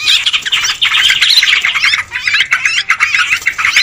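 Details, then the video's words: Sooty-headed bulbul flock for luring birds, giving a crowded tangle of short chirps and bubbling squawks that rise and fall without stopping. "Suara pikat trucukan ribut"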